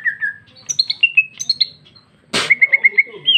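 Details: Female greater green leafbird in loud, open song: slurred whistled notes, then high chipped phrases at several pitches, a sudden harsh rasp, and a rapid string of five or six even whistled notes.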